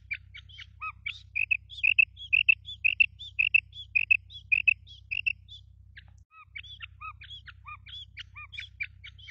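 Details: Female quail calling, as used in quail hunting: rapid high chips in pairs and triplets with occasional lower notes, briefly pausing near the middle, steady low hum beneath.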